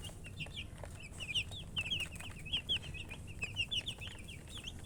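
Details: Several baby chicks peeping continuously, bright high chirps in rapid clusters, some sliding down in pitch, with faint low rumble behind them.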